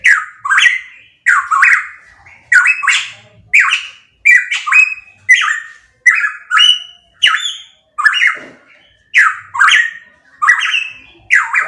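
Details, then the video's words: Pitohui singing loudly. A long steady series of rasping, upslurred then falling notes, often doubled, come roughly every half second to second over nearly twelve seconds, with nothing else audible. "Masteran Burung Pitohui MP3 _Suara Kenceng"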